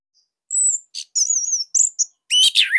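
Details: Master song of an orange-headed thrush, said to be loud and tight, meant to prompt other thrushes to sing: long wavering high whistles and short chips, ending in a dense lower warbled phrase.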